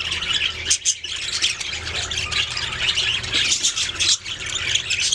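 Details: Budgerigars chirping, a dense mix of harsh squawks and high chatter from several birds with a low background hum.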